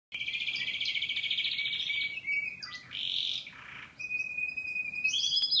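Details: Singing canary delivering high, continuous rolling trills that shift between several pitch levels, with brief pauses and a bright sustained trill near the end.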